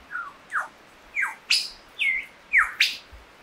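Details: Lyrebird song: a series of separate loud whistled notes, some sweeping down and some sharply upward, spaced about half a second apart, over a steady hiss of background noise.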